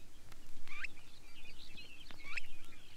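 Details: Long-billed Dowitcher calling on an old wader sound-guide record: two distinct sharp, slightly rising squeaks about one and a half seconds apart, with soft twittering notes in between, over a constant low record hum.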